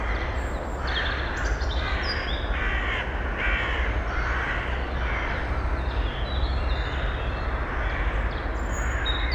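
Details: Eurasian eagle-owl female with nestlings in a nest box, filmed in early May without a directional microphone: harsh, hoarse, rasping bursts repeated irregularly over steady background rumble, with small birds chirping faintly higher up.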